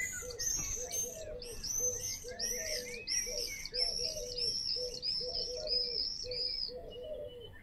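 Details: Common swifts near a house giving a continuous chorus of shrill, high screams, overlaid on steady low rhythmic cooing from another bird throughout.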